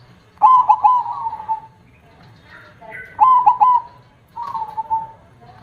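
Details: Zebra dove singing with a big 'kong' voice: three phrases, each a rapid set of loud, ringing, clipped coos trailing into a sustained hum, with quieter sounds in the pauses.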